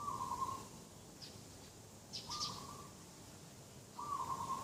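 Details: Dove heard at a garden edge in the morning, 2 October 2021, giving three flat, slightly trilled coo notes roughly every two seconds, with brief high chirps from other birds between them.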